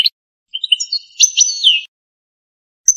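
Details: European goldfinch of authentic Algerian stock, canto campero song: one continuous liquid twittering phrase of bright notes ending in a slurred descending whistle, with brief fragments at either edge and no other sounds.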